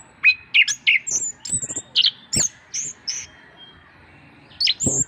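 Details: Orange-headed thrush in gacor form, recorded as a master track to stimulate reluctant birds to sing. It gives short bright whistled notes and quick slurred phrases in rapid bursts with brief pauses, plus a few low clicks.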